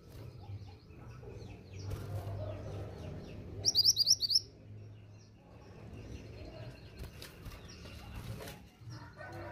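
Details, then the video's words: Pied bushchat female calling for a male response: one short burst of rapid high chirps stands out against a busy, noisy background of faint sounds. "BURUNG MANTENAN GUNUNG BETINA GACOR UNTUK TARIK RESPON BUNYI MANTENAN JANTAN"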